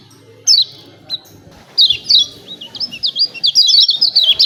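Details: Lemon-bellied white-eye song used as a training recording to provoke birds to sing: scattered high chirps, then a steadily building chatter of rapid, thin, zigzagging notes.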